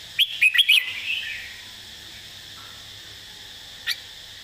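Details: Red-whiskered bulbul singing a clear-phrased master song with emphasized notes: one quick burst of four bright whistled notes, then a softer trailing warble fading out, and a single faint note near the end.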